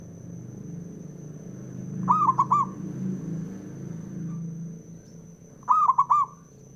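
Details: A male zebra dove, a local bird whose call rouses other doves to sing, gives two trilled three-note phrases roughly four seconds apart over a low rumbling background and faint high steady tone.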